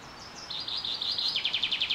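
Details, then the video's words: Wild birds singing in spring during a super bloom at Carrizo Plain National Monument, California, USA: high, sweet notes that build into a fast rhythmic trill of repeated chirps, growing louder toward the end over a quiet outdoor background. "Nature Sounds Super Bloom Birds"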